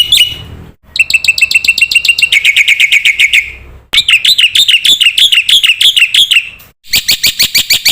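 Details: Training recording (masteran) of a Black-winged myna in full voice, used to prompt young mynas: spliced bursts of rapid chirps, a dense buzzy trill, then wavering looped notes repeated quickly before another burst.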